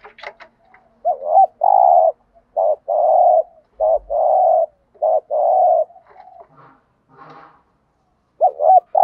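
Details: Spotted dove lure recording, male and female, used to stir up birds in training, 'gù thúc' urging-coo style: low hollow coos, a short note then a longer sustained one, repeated in pairs about every second with brief pauses.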